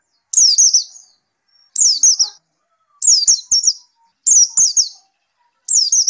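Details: White-eye, after therapy, repeating a short phrase of three or four high, falling slurred notes about every one and a half seconds, with silent pauses between phrases.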